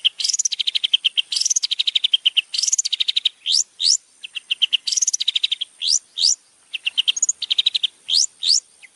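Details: Long-tailed shrike, a champion bird, in a training song recording: repeated phrases, each opening with a high note and sliding into a rapid stuttering series of lower notes, separated by sharp upward-sweeping whistles.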